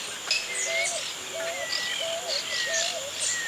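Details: Pigeons or cuckoos, 2018: a run of repeated mid-pitched arched notes alongside higher whistled strokes, over a steady high insect buzz and scattered chirps from other birds.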